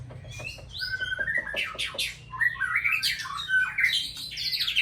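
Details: Caged white-rumped shama of the Aceh type singing: a varied, fast-changing phrase of clear whistles, buzzy notes and quick slurred trills that climbs and falls, with a low background hum.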